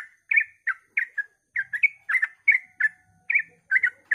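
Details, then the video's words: Sooty-headed bulbul at dawn, singing to draw other bulbuls into song: short warbled chirps in a brisk series, with slightly longer gaps between notes now and then. "suara trucukan ropel pagi subuh AMPUH memancing trucuk agar ikut gacor"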